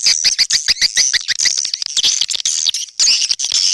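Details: Swiftlet lure call: rapid high clicks merging into a trilling, shrill twitter, then a louder buzzy chirping burst near the end.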